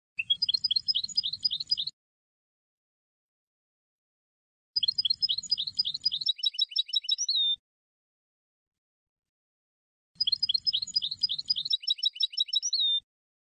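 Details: Sfax-style song phrase (tarqa) of a Tunisian European goldfinch for tutoring, sung three times: each a fast, dense twittering run of bright chirps ending in a drawn-out nasal tone, with a faint low hum during the runs.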